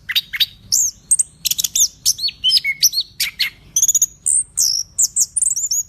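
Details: Orange-headed thrush in full song, pouring out quick high whistles, sharp downward slurs and short chirps in a dense, varied stream of phrases.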